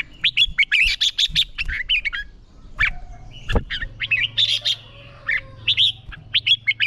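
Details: Red-whiskered bulbul singing in training for song contests: dense, rapid chirping and warbled whistles almost continuously, with a sharp click near the middle and low background hum.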